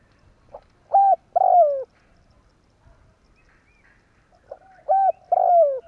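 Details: Spotted dove calling as a trapping lure. Two phrases about four seconds apart, each a brief soft note, a clipped coo and a longer coo that falls slightly in pitch. Faint rustling sounds in between.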